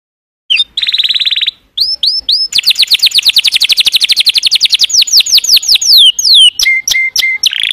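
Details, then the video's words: Canary in song, opening with a buzzy rolled trill, then a long fast run of repeated downward-sweeping notes that gradually slows, ending with sharp clicks and flat whistled tones. "تغريد كناري Chant Canaris singing canaries"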